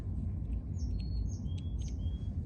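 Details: Black-capped x Carolina chickadee hybrid singing a hybrid-zone song during playback: a squeaky high note, then a straight, steady whistle, the pair repeated. The song is like a Carolina song, but with a squeak in place of a pure whistle. A low rumble runs underneath.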